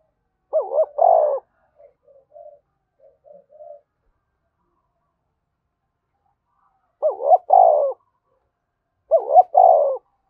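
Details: Spotted dove delivering forceful 'thúc bổi' cooing. Three two-part coo phrases, each a throbbing double note then a rounded coo, the first followed by quiet scattered murmurs and the last two about two seconds apart.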